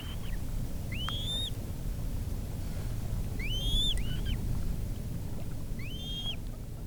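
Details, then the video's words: Calls of a coot in wetland: clear, upward-curving whistled notes, some paired in quick succession, spaced about two seconds apart over a constant low background roar. "Coot Bird Sound | Real Calls of the Wetland Water Bird"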